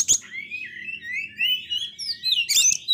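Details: Failed-moult Oriental magpie-robin in constant song, used to stimulate flagging magpie-robins; a long sweeping whistled phrase wavering up and down between sharp harsh clicks, faint hum beneath.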